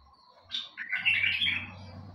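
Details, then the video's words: Bulbul, named in Arabic as a sahani bulbul, singing a short warbled phrase: a high note, then a run of bright, slurred whistles lasting about a second, over a faint low hum. "تغريد بلبل سحاني"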